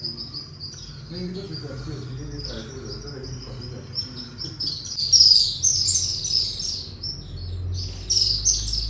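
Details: Unseen swallows heard inside the Katas Raj temple, their calls very loud there; thin high chirping stays faint for the first half, then grows into a louder cluster of sharp twitters toward the end.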